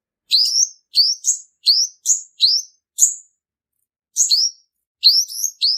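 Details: Trapping lure song from a male purple-throated sunbird: quick high, upward-flicking chirps in short bursts, a pause of about a second, then more paired notes.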